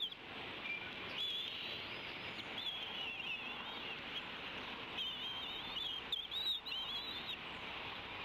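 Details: Female bald eagle at the Decorah nest, 30 April 2016 around 17:29 after morning rain, gives her tea-kettle call of thin, high, wavering chittering squeals in a few runs as the male flies in with prey, over a steady hiss.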